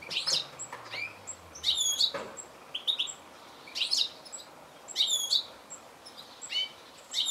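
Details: Goldfinch producing paired, bright, high-pitched twittering chirps in short bursts, spaced one to two seconds apart, with a faint knock early on.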